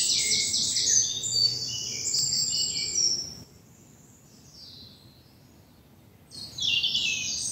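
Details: Early morning birdsong in spring bluebell woods in the south of England, dappled sunlight: several high trilling and twittering phrases overlap for three seconds, a near-silent gap follows, then a bright burst of chirps returns near the end.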